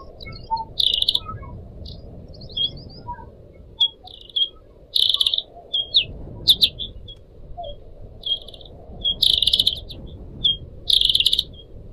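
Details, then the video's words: Pied Trillers kept as caged pets, four birds with different owners, recorded to train other birds, with a water trickle. Scattered high single chirps build into louder buzzy, rasping bursts and twittering phrases near the end. "kicau burung decu kembang"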